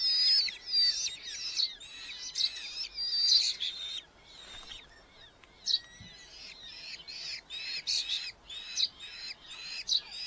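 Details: Nest box of red-footed falcons in a large colony in Hungary, July 2025, chicks being fed beetles by experienced parents; harsh, high chattering bursts come in clustered runs, fading in the middle, then resuming in short repeated notes.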